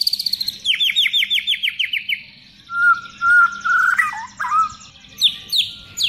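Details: White-rumped shama song full of borrowed sounds, used as a tutor recording for other birds: a run of about eight quick downslurred notes, then clear level whistles and twisting phrases. A faint low hum sits underneath.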